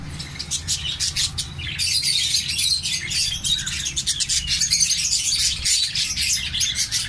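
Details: A busy flock of captive-bred orange-breast mutation zebra finches gives rapid, overlapping high chirps and nasal beeping calls.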